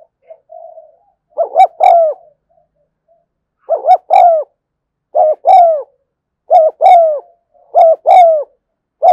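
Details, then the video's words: Spotted dove 'thúc gù' cooing, recorded in the afternoon: soft low murmurs open, then six doublets of a short rising note and a longer falling coo follow about every 1.4 seconds against a quiet background. "tiếng cu thúc gù hay và liên tục"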